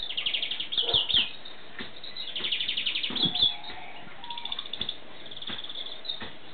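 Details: European greenfinch song: bursts of rapid, high, twittering trills and chirps in short phrases, with pauses between, over a steady hiss and low background rumble.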